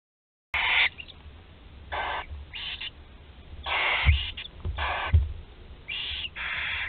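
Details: Barn owl, the last chick left in the nest at Théding, France, on 26 July 2020: harsh, hissing screeches lasting about half a second, repeated irregularly with short gaps, plus faint low thumps.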